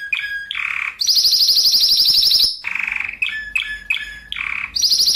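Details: Spanish Timbrado canary singing tight rolling phrases, recorded as a master for training and prompting other canaries; buzzy lower bursts alternate with a long, very fast, high metallic trill lasting about a second and a half.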